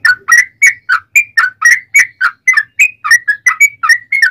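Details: Fighting song of a yellow-vented bulbul, the local trucukan, used as a lure so other birds reply: quick liquid whistled notes repeated roughly three to four per second, alternating rising and falling slurs, clean and loud.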